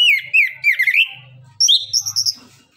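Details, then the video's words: Song of an orange-headed thrush (anis kembang, also called anis cacing), used to prompt lazy birds to answer: a rich warbling run of fluttering whistled notes, a short pause, then a higher rapid trill of bright chirps, with faint low hum beneath. "Anis kembang suara nembak,ngeriwik gacor"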